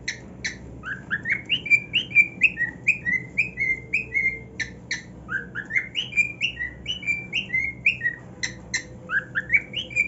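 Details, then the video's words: Pet cockatiel, excited about his new nest, sings a long string of rising and falling whistles, roughly two notes a second, broken by scattered short chirps and clicks. "Cockatiel Singing on his New NEST"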